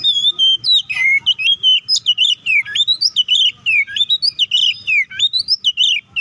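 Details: A white-rumped shama pours out a continuous fighting song to provoke rivals: varied whistles, long held tones and quick swooping slurs, densely packed with barely a break.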